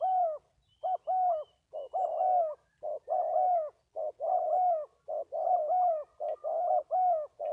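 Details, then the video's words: Spotted dove cooing: a fast run of low, rounded coos in short bursts, some doubled, repeated roughly once a second with no other sounds. "Cu gáy 67 : Hai Bổi Thổ"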